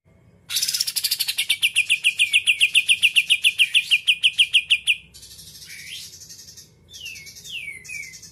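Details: Greater green leafbird, a caged contest bird, in its 'isian kapas tembak putar' song style: a fast run of sharp notes about three per second near one steady pitch, slurring downward, followed by softer swooping whistles.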